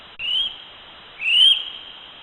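North Island brown kiwi giving two shrill, high whistles, each sliding upward and then holding, about one second apart, against a faint background hiss.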